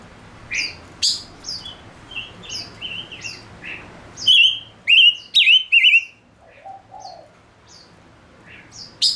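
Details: Male silver-eared mesia kept as a decoy, singing chirps and flat whistles, then a loud burst of three wavering warbled whistles, followed by softer scattered notes.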